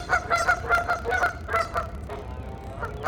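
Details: Geese in conversation, giving a mating call: rapid bursts of harsh nasal honks several per second, then a short pause with thinner tonal calls before another honk.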